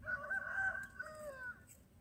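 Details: Myna chicks in a nest, being fed by their mother; drawn-out, harmonic-rich nasal calls, two long wavering notes with a short break between, fading at the end.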